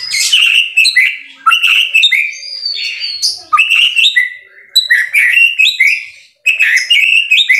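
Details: Murai batu (white-rumped shama) singing strongly: loud, varied phrases of piercing whistles, trills and chips in several bursts, divided by quieter gaps and one brief silence.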